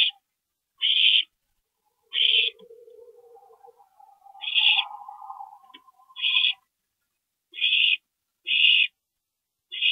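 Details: Owl nest at night, 22 April 2012, during a parent visit; a steady run of harsh, breathy rasps, each under half a second, over a lower wavering tonal whine and soft rustling.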